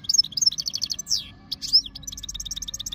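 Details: Goldfinch from Jijel, Algeria, in 2025, said to be ready to mate, delivering a fast run of bright chirps and trills, with quick rising and falling slurred notes mid-phrase and a steady twittering stream.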